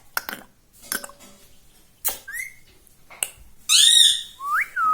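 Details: Green ringneck parrot kept as a pet, taught to say "mummy", "papa" and "radhe radhe". Sharp clicks open the passage, followed by a short rising whistle and then a loud, buzzy, wavering vocal phrase with an upswept whistle at the end.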